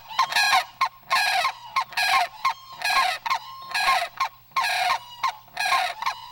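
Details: In the breeding season, as mating time nears, a male white-breasted waterhen gives loud, harsh, croaking calls about once a second, advertising his quality to females, over a faint low hum.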